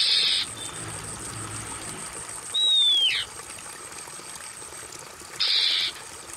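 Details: Oriental magpie-robin, used as therapy for stressed birds that have stopped singing: a single clear whistle sliding downward, with short harsh buzzy bursts at the start and end over a steady background hiss of trickling water.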